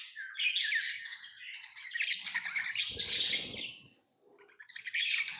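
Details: Tame pet lovebirds chirping: dense, harsh, high twittering in rapid bursts, with a brief pause near the four-second mark before chattering resumes; faint low rustling underneath.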